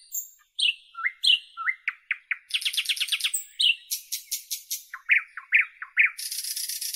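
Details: Common nightingale song recorded in northern Europe: rising whistles, a fast rattling run of sharp clicks, loud repeated slurred notes, a rapid trill and a final harsh buzz, all in a quiet setting.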